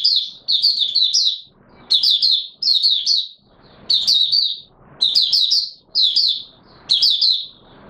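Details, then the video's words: Caged Mata Puteh Raja white-eye in opening song, not yet in full condition: bright warbled phrases of quick high twittering notes, delivered in bursts of about a second with short pauses between, some faint room noise in the gaps. "Mata Puteh Raja V1 buka sing not full condition yet"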